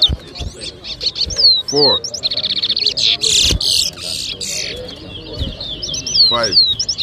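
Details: Towa towa (chestnut-bellied seed finch) competing in a 2023 whistling contest at Rosehall, Guyana: high whistled up-and-down slurs, a rapid rattling trill and harsh bursts, with a man's voice and knocks behind.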